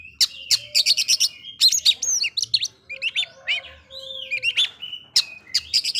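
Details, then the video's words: Oriental magpie-robin song used to agitate rival magpie-robins: dense rattling note clusters alternating with sweet slurred whistles, a faint low tone humming beneath. "Suara burung kacer bikin emosi kacer lain"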